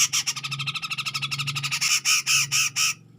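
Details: Grey-cheeked bulbul singing to provoke a rival: a rapid string of harsh, buzzy notes that slows into five or six longer, louder rasping bursts, over a low steady hum.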